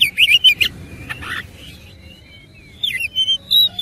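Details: Oriental magpie-robin in fighting form, its rich filler song opening with quick whistled loops, fading to soft thin notes, then ending in fresh bright whistles.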